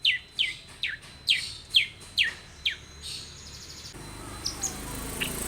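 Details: Long-tailed shrike lure song: clear, strongly downslurred whistles repeated about twice a second for three seconds. Broadband noise then rises and masks the faint notes that follow.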